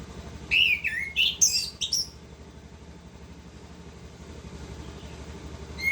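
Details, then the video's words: Continuous 'ngerol' song of an orange-headed thrush: a quick run of high, sweeping whistles and sharp chirps in the first two seconds, followed by a quiet stretch with low steady background hum. "Anis kembang gacor ngerol"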